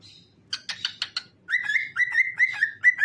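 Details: Pet cockatiel singing and dancing indoors. A short soft note is followed by several rough chirps, then a string of clear, mellow whistles sliding downward and repeated steadily, some overlapped by sharp clicks.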